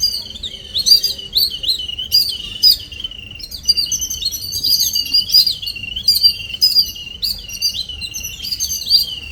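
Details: Continuous lively chatter of small birds arriving in the morning, dense high-pitched chirps and squeaky slurs tumbling over each other without pause.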